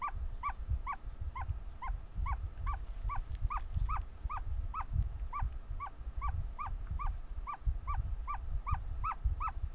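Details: Very vocal ostrich chick hatching, with another egg also progressing; rapid continuous arched peeps, about two to three per second, over a constant low rumble.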